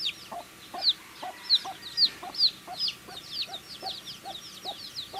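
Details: Chicks feeding on food, giving loud high peeps that sweep downward, several birds calling over each other, with regular light pecking knocks in the background.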